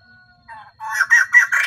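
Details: Female white-crested laughingthrush serving as a lure bird to stir up males; a short, rising burst of raucous, buzzy cackling notes building in loudness.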